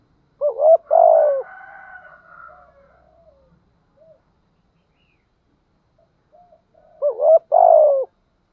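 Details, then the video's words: Caged decoy spotted dove in 'thổ' voice giving urging coos to draw wild doves: a burst of hooked notes and a throaty coo, a faint drawn-out tonal sound fading away, then another hooked coo phrase about six seconds later. "chim cu mồi thúc gù nghe là ghiền ngay, giọng hay hạp bổi"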